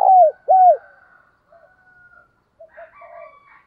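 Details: Decoy spotted dove calling wild birds at morning. Two loud arched coos open the clip, followed by faint low murmuring notes and quiet purrs.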